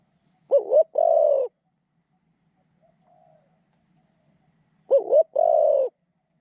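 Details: Captive spotted dove kept as a decoy for catching wild doves, its voice called medium with light phrasing; two identical phrases about four seconds apart, each a quick wavering double note and then a long level coo.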